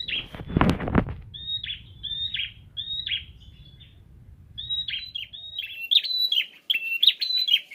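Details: A loud thump opens, then a prinia delivers a series of high, quick chirped phrases, played to get a ceplier bird to reply, with faster, busier notes toward the end.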